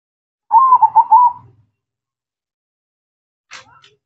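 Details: Zebra dove, a local Indonesian perkutut bird, singing actively: one rolling, quavering cooing phrase of about five quick pulses near one pitch, lasting about a second, followed by silence and a brief faint rustle.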